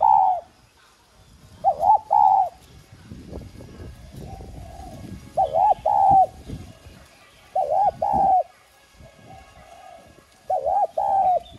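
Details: Lure spotted dove of the 'giọng son' voice type cooing to rouse wild-caught doves: four repeated phrases of paired wavering coos plus a drawn-out note, with softer low coos and light background rustle between.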